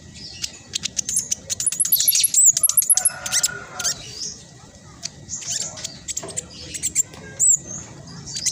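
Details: Black sunbird with speckled plumage, a persistent singer whose quick, dense chatter serves as a lure for birds that will not sing; series of repeated high sliding whistles and rapid twitters, then sparser squeaky notes.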